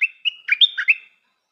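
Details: One brief Stripe-throated bulbul phrase from a decoy bird: a clear whistled opening note, then a rapid run of liquid, rolling notes lasting about a second, with no other sounds.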